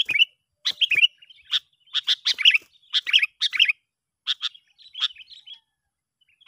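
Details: Sooty-headed bulbul calling to lure other bulbuls: a busy string of chirped, slightly warbling notes in closely spaced phrases, thinning out toward the end, with faint clicks underneath.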